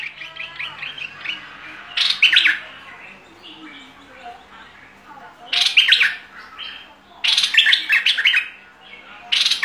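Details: Bulbul singing in fierce style, giving loud bursts of rapid, rich, bubbling notes every few seconds, with quieter softer chatter filling the gaps between the bursts.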